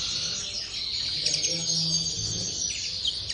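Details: Common linnet kept in an aviary, singing a brief stretch of fast, high twittering and buzzy chirps over a faint low drone.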